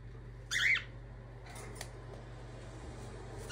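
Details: Pet cockatiels indoors during daily life at the start of the day: one short, loud, harsh call lasting under half a second, followed by steady low room hum and a few faint clicks.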